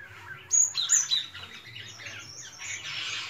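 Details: Melodious song of a white-shouldered starling: a short burst of sharp whistled notes and quick chirps, followed by a softer, steady rustling chatter of high tones.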